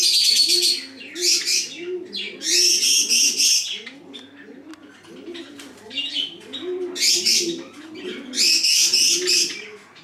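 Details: High, rattling chirp clusters from a chocolate Java sparrow, Bangladesh, coming in loud bouts of one to two seconds with quieter clicks between, and rhythmic low cooing from another bird continuing in the background.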